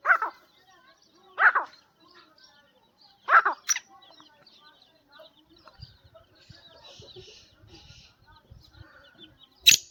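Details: Black francolin (kala teetar), kept as a hobby bird, gives three loud, harsh, rasping calls in the first three and a half seconds. Fainter rustling and low background sounds follow, then a sharp click at the very end.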